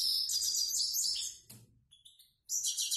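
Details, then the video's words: Grey-headed goldfinch singing in the plain 'prostyak' style: a run of fast, high, jingling twitters, a click, a few thin separate notes, then another bright twittering phrase. "Седоголовый щегол ,простяк."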